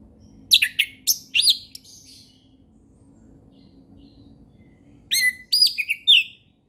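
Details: Relaxed ngeplong song of an orange-headed thrush in the forest, offered as a tutor for young learners. Two bursts of loud, sweeping whistles and chirps are split by about three seconds of quiet low background hum.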